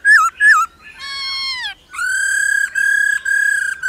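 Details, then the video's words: Female laughingthrush calling 'ro ro' to stimulate males. Two sharp falling notes, a long slowly descending whistle, then a train of steady level whistles repeated about twice a second. "Khứu mái ro ro.kích trống hót căng"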